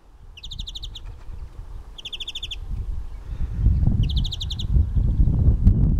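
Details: European greenfinch singing: three short, fast, bright trills of rapid repeated notes, each under a second, spaced about a second and a half apart, over a low rumble of wind or distant traffic that grows louder.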